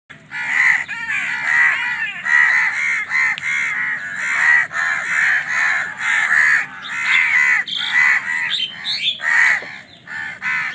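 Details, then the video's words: Several crows fighting over food, giving a dense, continuous series of harsh, nasal caws that overlap almost without pause, with a few higher squeaky notes near the end. "Crow Bird Crowing Sound || Crow ki Awaz part 68 || Crow Bird Fight for Food"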